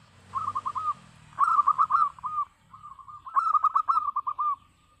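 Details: Zebra dove of a local strain in full song: three bubbling, purring coo phrases, each a quick run of rolled notes at an even pitch, separated by brief gaps, over a soft low background rumble.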